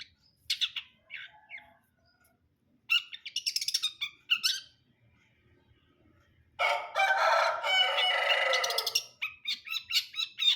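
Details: Long-tailed shrike of the brundol type singing: scratchy chattering phrases building to a loud sustained two-second harsh rattle, followed by rapid repeated sharp notes.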